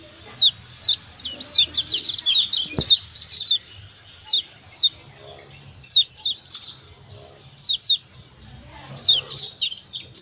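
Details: Lombok white-eye (kecial kuning) repeating ciak calls to set other birds calling; crisp descending chirps in pairs and short runs, about thirty a minute, with one sharp click partway and quiet pauses between.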